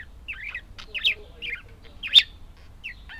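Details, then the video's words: Budgerigars give a few short buzzy chirps and one loud sharp squeak over a quiet background. "Волнистые попугайчики (budgies)"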